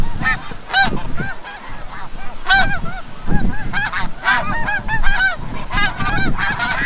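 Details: At Forsythe refuge in New Jersey at sunset, snow geese back from the bay utter crisp, well-separated barking honks in quick irregular runs, over a deep rumbling background.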